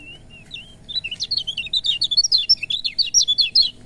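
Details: Lemon-bellied white-eye singing, played to encourage reluctant birds: a soft whistled start, then a lively, rapid series of high, rising and falling chirps and trills for about three seconds, with faint hum in the background.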